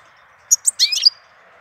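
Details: A goldfinch in April delivering one short, bright phrase of sharp chips and a quick liquid twitter with a thin rising whistle, over a low steady hum.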